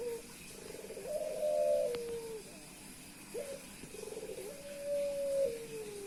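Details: Courting male Puter Pelung dove calling nonstop on meeting a female; two long, mellow coos, each opening with a rolling purr and swelling into a sustained tone that falls away at the end.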